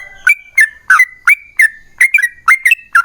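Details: Yellow-vented bulbul giving gacor song of the ropel panjang style meant to provoke other bulbuls: short, slurred whistles, some paired, spaced about every third of a second in a brief bright burst.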